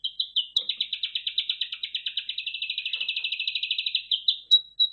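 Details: Red factor canary in a singing exhibition delivering one long steady trill of quick repeated notes, around ten per second, ending with a few sharp whistled notes.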